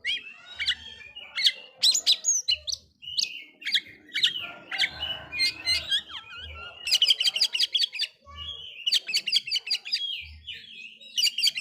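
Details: Oriental magpie-robin song used to provoke other magpie-robins: dense, varied phrases mixing harsh chatter trains, clear whistles and downslurred notes, almost continuous, with faint low thumps.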